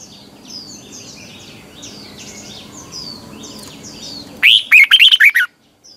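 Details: Red-whiskered bulbul, morning decoy singing in the double twisting voice used to train caged birds: soft high chirps of other birds at first, then one loud, fast phrase of tumbling whistled notes near the end.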